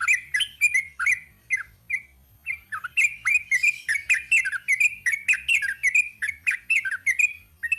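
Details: Long 'ropel panjang' song of a sooty-headed bulbul, a continuous stream of lively, bubbly chirps and slurred whistles tumbling one after another with only a short pause after two seconds.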